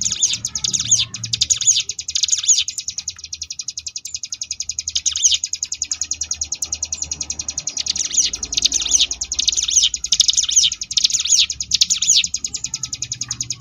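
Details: Long ngebrem-style passage from a Sunda bush warbler (cigun), made for training contest birds: repeated bursts of high looping whistles alternating with a dense, fast buzzing rattle.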